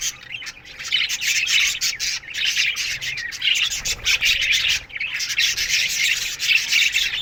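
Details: Morning chatter from a colony of Australian budgies kept in an aviary: overlapping buzzy chirps and warbles from many birds, swelling and dipping in waves.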